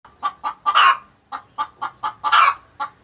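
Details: Domestic hen calling while laying eggs: a run of short, rhythmic clucks, roughly four per second, broken by two louder, harsher squawks.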